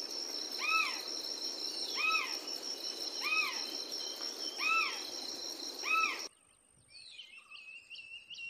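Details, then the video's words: Hodgson's frogmouth calling in the morning: clear arched, slightly descending double notes repeated about every 1.3 seconds over a steady high insect buzz, fading out near the end. "Hodgson's Frogmonth"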